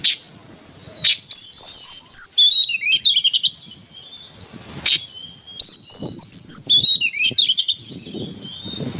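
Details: Oriental magpie-robin, used as songbird training material, pours out loud varied whistles, chattering trills and sharp clicks in two long bursts, with a short quieter gap between them.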